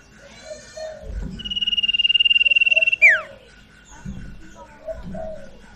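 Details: Sirtu song used as a lure to make a newly bought, silent bird start singing: a long buzzy rapid trill that ends in a sharp falling whistle, framed by soft slurred lower notes.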